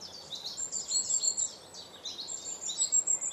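Long-tailed tit giving a rapid, continuous stream of very high, thin twittering and sibilant see-see notes over a faint background hiss.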